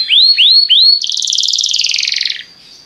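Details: Belgian canary singing to encourage other canaries to sing: three loud rising whistled slurs, then a long dense buzzy trill that fades out after about two and a half seconds.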